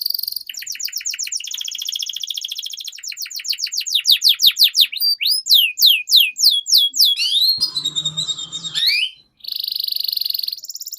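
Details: Canary singing to train young canaries: steady rolling trills, then a long sequence of rhythmic sweeping notes, a tangled rapid passage and a final sustained trill.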